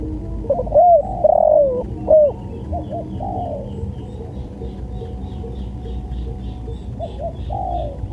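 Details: Spotted dove cooing in a tutor recording: a loud opening phrase of bent notes and a falling drawn coo, then softer repeated coos trailing away over faint background hiss.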